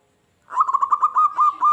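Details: Local zebra dove singing vigorously, its song said to provoke wild doves to answer and attack: a single rapid rolling phrase of clipped coos merging into longer, smoother notes.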